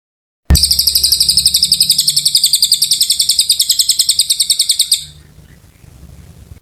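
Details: Oriental white-eye singing long and continuously: a loud, high, buzzy trill of rapid pulsed notes held for about four and a half seconds, then fading into faint low background rumble.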